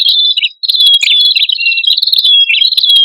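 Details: Prinia male and female in a continuous bird-lure recording: overlapping high whistles and quick downward-flicked notes in a nonstop bright stream, with one brief gap early on.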